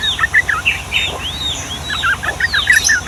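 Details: Trucukan, the yellow-vented bulbul, singing a long 'ropel' 'gacor' song in Ngombak Banyu style as tutoring material for young males and females: steady chattering of short bright notes, some upward arcs, continuing throughout over a faint hum.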